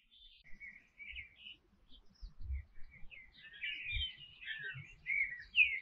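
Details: Canary song that begins with scattered short chirps and builds into a fuller, rolling warble of rich twittered notes. Occasional low bumps are heard.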